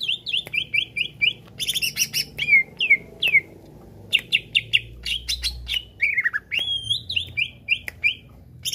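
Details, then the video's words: Greater green leafbird singing to provoke rival birds: long varied sequence of quick downslurred whistles, sharp clicks and chattering phrases with some rising notes, over faint low background hum. "CUCAK IJO BONGKAR ISIAN BUAT PANCING EMOSI IJO ANDA"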